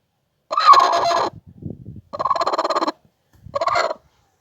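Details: Broody hen (gurk tavuk) giving three harsh, grating clucking bursts, each about half a second to under a second long, buzzy and rapidly pulsed, with short gaps of quieter low rustling between them.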